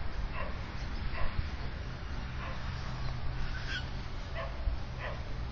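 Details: Australian magpie at its nest with chicks in a tree two metres from a house in Melbourne's south-east suburbs, Victoria, recorded by a mounted security camera; soft harmonic calls repeat about every second over steady low rumble.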